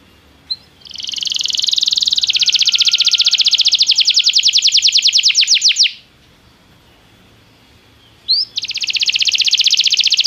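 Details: Belgian canary singing in a training recording: a short chip, then a sustained rapid trill of repeated notes for about five seconds, a pause, another chip and a second fast trill starting up.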